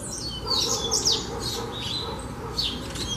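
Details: Coleiro, a captive songbird kept for song training in Brazil, singing a fast run of high whistled and twittering notes with sharp downward sweeps, steady throughout, no other sounds.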